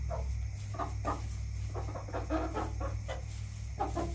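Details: Domestic chickens in a backyard flock give repeated brief clucks, roughly two or three per second, some slightly rising, against a constant low droning hum.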